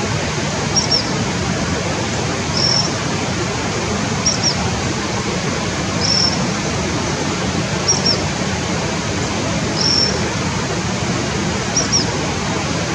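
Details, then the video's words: A juvenile Black Phoebe above Jimbura in Yacuri National Park, Ecuador, begging with thin, high, short notes about every two seconds over a steady rush of water or wind. "Black Phoebe juvenile begging"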